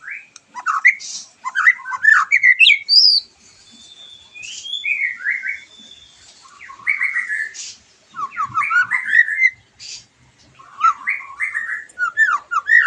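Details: Stimulating song of a white-rumped shama for a bird just out of moult: long, varied bursts of rapid slurred whistles, a thin sustained high whistle in the middle, and quieter gaps between phrases.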